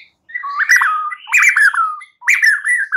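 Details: White-rumped shama song aimed at getting a young wild-caught bird, just out of spotted plumage, to sing freely: three loud rich whistled phrases with fluting downslurs, about one every second.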